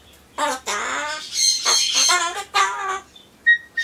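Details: Indoor Solomons corella chattering to itself as it waits for pumpkin, mixing replies and off-key singing. Several rich, harsh, voice-like phrases with stacked harmonics, separated by short pauses and ending in brief thin chirps.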